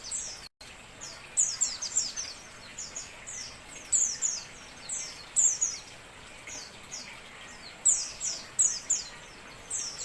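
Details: White-eye song used to lure birds: very high, thin, quick downslurred chirps tumbling in irregular clusters throughout, over steady hiss, with one brief dropout near the start.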